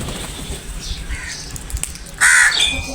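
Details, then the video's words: Crows gathering and attacking food, one loud harsh caw near the end after a stretch of quieter background noise. "Crows Sounds | Crows attack on food"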